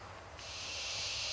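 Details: A hungry barn owl gives one long, harsh hissing screech that starts abruptly and holds steady to the end, over a faint low hum.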